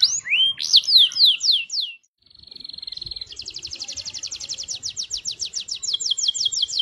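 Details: Canary in full day-and-night song, used as a lure to prompt other canaries to sing: rising whistled sweeps, a steady buzzy trill after a brief pause, then a fast run of rapid repeated notes.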